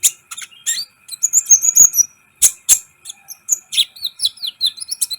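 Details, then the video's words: Sunbird song for stirring up other birds during training: a fast jumble of very high twitters, a drawn-out thin whistle, and sliding chips, about three notes per second, over a faint hum. "Masteran KOLIBRI ninja gacor , agar CEPAT EMOSI"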